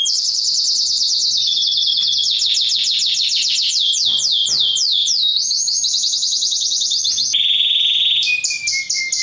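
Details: Male mosaic canary singing to encourage mating and teach young: rapid high trills of sweeping notes in changing tempos, a steady rolling tone, and a closing descending whistle.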